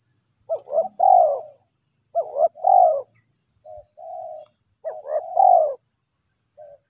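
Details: A wild spotted dove coos in paired phrases, each a quick double note and then a longer slurred coo, with a softer, flatter coo between. A constant high-pitched insect hum runs throughout.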